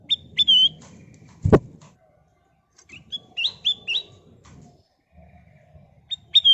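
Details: Golden-coloured sooty-headed bulbul, its song used to draw other birds into singing: short whistled phrases and a run of three quick rising-falling notes, interrupted by a sharp knock, with low rumbling in the background.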